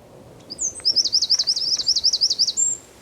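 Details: Eurasian wren singing in the San Miguel de Daño neighbourhood of Zamudio on 4 December 2019; a thin opening whistle, then a rapid high trill of repeated sweeping notes lasting about two seconds, closing on a short high whistle.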